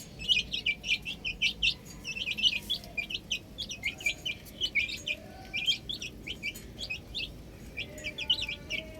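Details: Chicks playing on a roof call in quick high cheeps, bursts coming every second or so throughout, with a low background hum.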